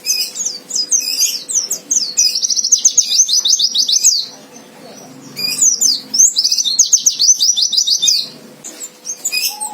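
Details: White-eye fighter song used to provoke a rival; two bursts of rapid, high, zigzagging twitters, each a couple of seconds long, with harsh buzzy notes in between and a short pause separating them.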